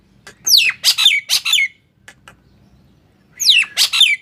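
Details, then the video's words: Nias hill myna, sung to make mute mynas reply: rich, falling whistled squawks in a group of four, a silent pause, then another short group. "HITUNGAN DETIK, JALAK BISU JADI BUNYI"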